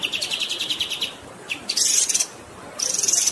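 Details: Kapas tembak (Grey-headed Canary-flycatcher) tutor song with flowing water behind: a run of quick high notes fades, then two loud, hissing, sizzling bursts follow with short gaps between them.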